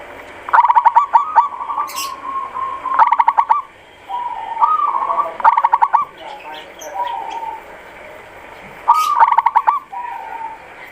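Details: Zebra dove of a local type giving repeated phrases, each a quick burst of staccato clicking notes sliding into a warbling coo, with quieter trailing coos between bursts and faint background hiss.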